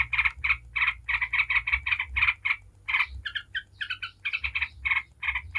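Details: Yellow-vented bulbul singing 'ngebren' style as a lure for other bulbuls: a quick run of rasping, buzzy chatter notes, shifting to higher, more clipped notes partway through, over a faint low hum.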